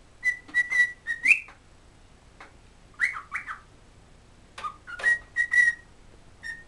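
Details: Cheerful cockatiel whistling a tune its owner taught it, "Kotori no Uta" (pipipipi chichichichi pichikuripi): clear steady notes and rising and falling slurs, broken by sharp clicky chirps, in bursts over several seconds.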